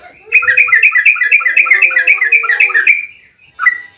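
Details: Yellow-vented bulbul giving a long, unbroken agitated fighting song used to lure other bulbuls: a rolling string of rapid, bubbly, overlapping notes for almost three seconds, a faint low hum beneath, and one closing whistled note.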